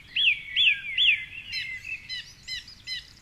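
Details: Male song thrush at dawn, 4.45am, perched atop a tall tree by the Curragheen River path in Cork City; three loud rising-falling whistles repeated, then a rapid stuttering chatter.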